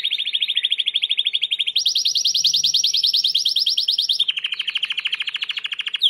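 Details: White Timbrado canary singing for training: a continuous rapid rolling trill shifting pitch in three sections, middle, higher, then lower again, with very even fast pulses.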